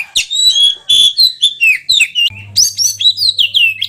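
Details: Loud, varied song of an oriental magpie-robin: clear whistles and quick chirps in short phrases, roughly three per second, with a steady low hum entering halfway through.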